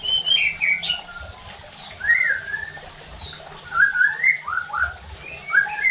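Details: White-rumped shama lure song to heighten other shamas' emotion and rough singing: scattered phrases of bright slurred whistles, some high and thin, others rising and falling, over faint background hiss.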